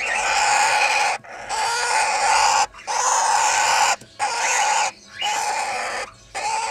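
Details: Red-winged parrots, a two-year-old pair raising their first brood of 20-day-old chicks, give long harsh, raspy, hissing calls. Five or so drawn-out bursts are separated by short silent breaks.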